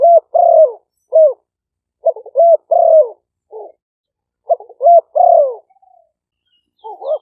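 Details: Spotted doves, two caged decoy birds of Malay and 'phad phone' strains, recorded live in Roi Et, Thailand, for luring wild doves; short clipped notes then long falling coos in uneven bursts, several pauses, quiet room.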